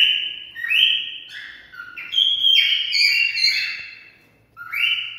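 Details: Cockatiel singing, sound to stimulate mating: a continuous whistled melody of stepped tones jumping up and down in pitch, a brief pause, then a final rising whistle.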